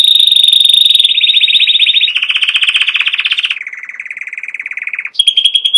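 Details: Canary song built from successive rolling tours: a high fast trill that steps down to a dense buzzy roll, then a lower, slower rattling trill, ending with a brief return to high pulsed notes.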